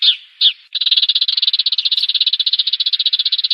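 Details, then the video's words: Sparrow sounds from a lure recording made for catching birds in 2019: two sharp chirps, then a fast, even, buzzy trill running without a break. "Tiếng chim sẻ"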